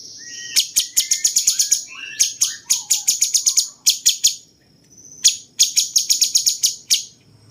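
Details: Cucak cungkok bulbul, a tutor for competition songbirds, singing a song that resembles a cucak jenggot: quick high chip series mixed with short whistled slurs, then a pause before another rapid chipping run.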